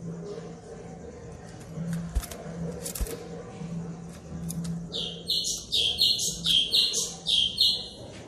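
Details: White-rumped shama singing, used as a lure for shamas that have not yet sung: after faint clicks and a low hum, a fast, regular series of high, sharp notes begins and continues for three seconds.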